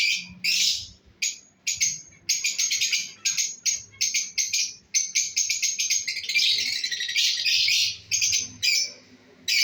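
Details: Breeding pair of lovebirds chattering continuously: dense strings of sharp, high, rattling chirps and twitters with brief pauses, busy and uneven throughout.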